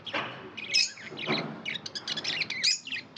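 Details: Budgerigars kept as pets chirp in busy high twitters and sharp whistled notes, with soft lower rustling sounds in between.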